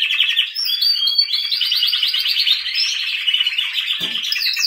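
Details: Canary singing continuously: high, rapid trills and rolling warbled phrases, with a few whistled slides, then a brief low knock near the end.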